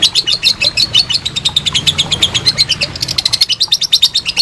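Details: Lovebird performing ngekek, a long trill used as master for contest birds: fast, high chattering notes pour out without a break, growing slightly sharper toward the end.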